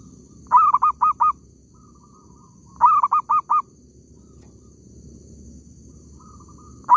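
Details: Zebra dove calling during a bird-luring session in an oil palm plantation. Two quick bursts of four clipped, ringing notes about two seconds apart, with faint rolling coos in the gaps and a steady low hum beneath.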